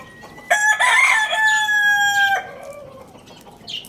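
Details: Lohmann Brown rooster at Lalukhet bird market, crowing loudly in the morning: one long harmonic cock-a-doodle-doo lasting about two seconds, a brief rising start, then a steady held note that cuts off sharply, with faint chirps afterward.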